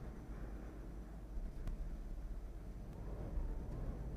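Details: Low vehicle rumble and distant traffic noise, with a few faint clicks, recorded by a falcon camera on an October afternoon, with no animal calls.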